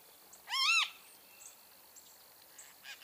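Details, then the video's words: Great kiskadee, known in Brazil as bem-te-vi: a single loud, buzzy, harmonic call of arching notes early on, followed by quiet background chirps and faint high twitters. "O CANTO DO BEM-TE-VI"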